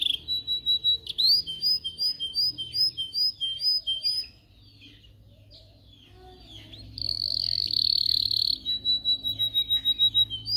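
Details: Training song of a canary: short slurred whistles about twice a second, a silent gap, then a bright buzzy roll followed by more spaced whistles.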